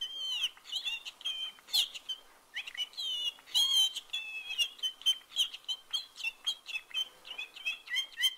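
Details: A unique pet canary named Pinci, born in 1965, sings a fast, bright run of high chirps, whistled slides and rolling trills in quick bursts, and inserts whole phrases learned from its owner between the trills.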